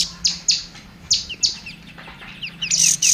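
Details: Kacer, or oriental magpie-robin, in a tutoring song for other songbirds: spaced loud, sharp high notes, several short falling whistles, then a bright burst of high chatter at the end.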